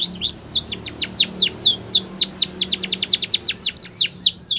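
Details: Spanish Timbrado canary singing training song, a steady stream of sharp high downslurred notes repeated several times a second, varying slightly in pitch throughout.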